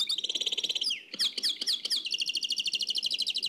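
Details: Nightingale, Oued El Alleug style song from an old cassette: an even trill, a dip into sharp downslurred notes, then a fast rolling trill.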